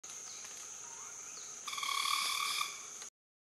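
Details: Broadbill in the wild in Africa, territorial flight display: vibrating 6th and 7th primary wing feathers make one buzzy, trilling klaxon-like purr lasting about a second, with a low hum beneath. A steady high insect whine carries throughout.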